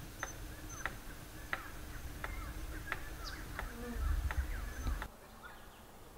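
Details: Courtship drumming by a palm cockatoo, crisp woody knocks repeated roughly every two-thirds of a second, with faint chirps and low rumbling noise behind.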